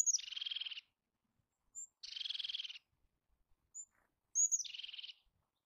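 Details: Eurasian jay calling three times: rough, pulsed screeches of under a second each, spaced roughly two seconds apart, with brief thin high whistles between them. No other clear sounds.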